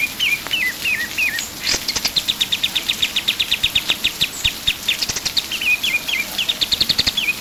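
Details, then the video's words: Vigorous pied triller song: three stepped, falling whistled phrases, then long runs of rapid high chips broken by brief flourishes and more descending whistles, against a soft constant hiss. "KAPAS TEMBAK GACOR"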